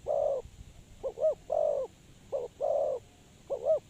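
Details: Spotted dove used to lure birds into traps, giving mellow coos: a long coo, then paired short notes each leading into another long coo, over constant faint hiss.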